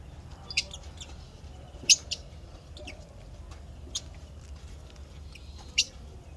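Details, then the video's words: Happy lovebird chirping: brief piercing high chirps, singly and in pairs, at irregular intervals over a soft low background rumble. "lovebirds chirping sounds happy"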